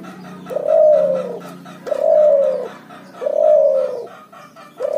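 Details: Puter and tekukur cross, called cuhu, singing in the ngoar nguku style: smooth, long, mellow coos recurring about every 1.4 seconds, each fading downward, with a faint low hum in the background.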